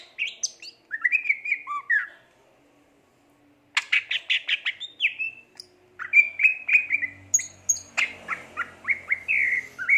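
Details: Greater green leafbird (cucak ijo) singing gacor, pouring out slurred whistles, a rapid series of sharp ticking notes, then bright repeated whistled phrases with a faint low hum behind.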